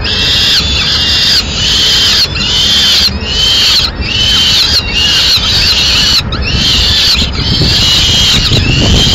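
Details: Madrid, 4 May 2016: a male peregrine falcon brings a swift and feeds the chicks piece by piece, then leaves them eating alone. Grating, wavering screams repeat about once a second in long strident bursts with short gaps.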